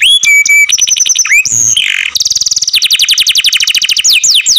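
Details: Loud song from a canary in care, changing quickly between clear whistled notes, a short buzzy passage and a fast rattling trill of steeply falling sweeps.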